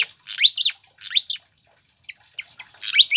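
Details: Pied fantail used as a singing lure for captive birds: paired rising, slurred whistles in short phrases, separated by brief pauses, with a few quick high chips in between.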